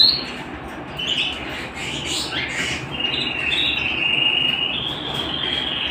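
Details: Singing canary kept at home, opening with scattered short chirps and slurred notes, then settling into a long, even rolling trill that grows louder toward the end.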